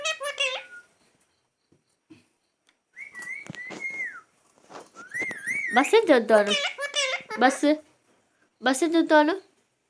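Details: A parrot talking. Steady whistled tones held at one pitch alternate with short speech-like babbling phrases, separated by brief silences, with no other clear sounds.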